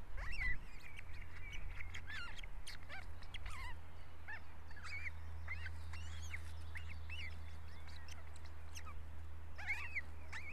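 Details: Ospreys squabbling in their nest in Estonia: a busy run of sharp, whistled chirps, many bending up then down, overlapping and coming in quick bursts, over a steady low hum.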